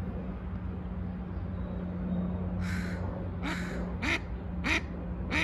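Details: Mallard call starting after a quiet stretch of low hum, with a few breathy notes and then three sharp nasal quacks near the end.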